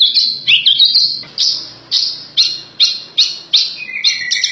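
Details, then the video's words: Horsfield's bush lark sings a tutor song of high, sharp chirps, opening with a quick twittering run and then repeating about twice a second, ending in a lower buzzy trill. "Suara Burung Branjangan Masteran"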